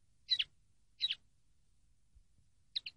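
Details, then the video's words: Common linnet from a training recording, giving short high doubled chirps, three brief twin-note bursts spaced roughly a second apart against a silent background. "CD CANTE DE PARDILLO 123"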